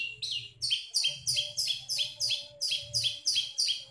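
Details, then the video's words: Long-tailed shrike giving part of its mimicked song repertoire: about eleven sharp, high notes, each sliding quickly downward, repeated roughly three times a second, with a faint steady hum underneath. "CENDET GACOR BONGKAR ISIAN"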